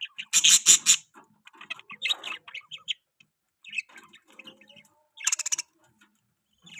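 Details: Newborn budgerigar chicks chirping: bursts of raspy, pulsed high chirps, some loud and buzzy, others faint and scattered, with short quiet gaps between clusters.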